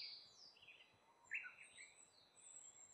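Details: Brown-eared bulbul coming to eat fruit, heard faintly: a few short, shrill, squeaky notes sliding downward near the middle, with thin high whistles before and after over quiet background hiss.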